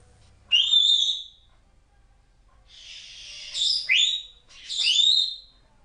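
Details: Indoor pet African grey parrot, a young female under a year old, chatting: three high, sharp squawked syllables with upward-sweeping whistled tones, spaced over several seconds with quiet gaps between.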